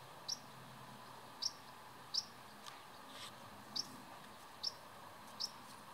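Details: Common house martin young, two nestlings fed by their parents every two or three minutes, 31 July 2019: six short, thin, high chirps at uneven intervals over soft background hiss.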